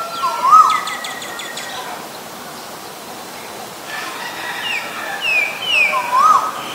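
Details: From a recording of a male and female Asian koel: a rapid burst of stacked, harsh clicking notes opens, with a rising whistled note. After a pause come several upslurred whistles, ending on another clear rising note.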